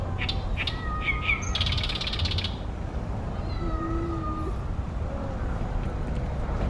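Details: Oriental great reed warbler, Ashiya, Japan, 28 May 2020, loud in a tall tree by a reedy pond where it nests yearly: a short burst of dense, rasping harsh notes, with thin clear whistles from other birds and a low urban hum.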